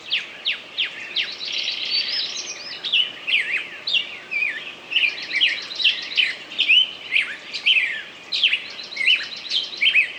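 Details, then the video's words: A songbird sings a busy, varied stream of high whistles, slurred downward notes and quick chirped trills in short bursts roughly every second, with a steady hiss behind. "пение птицы"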